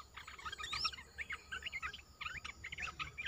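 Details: Olive-winged bulbul kept in a cage, singing on 29 June 2021; choppy bubbling chirps in quick clusters with one clearer whistled note, over low background rumble and hiss.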